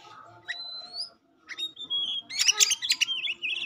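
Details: Song of an Oriental magpie-robin kept by Indonesian bird hobbyists: a long clear rising whistle, a brief silence, another whistled note, then a burst of harsh rattling chips and warbled twitters.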